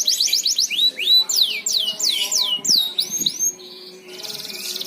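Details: Singing canary played as a lure to make other canaries sing eagerly; quick sets of whistled slurs, some rising and some falling, ending in a high buzzy trill.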